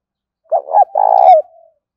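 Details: Spotted dove cooing, the call used as a lure to draw in other birds across the fields: a low, soft phrase of a few rounded notes, then a longer throaty coo trailing off, in quiet surroundings.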